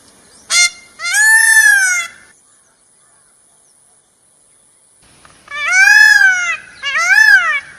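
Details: Peacock, the Indian peafowl, giving loud, wailing, arched calls: a short sharp note and a drawn-out cry, a long silence, then two more ringing rising-and-falling wails.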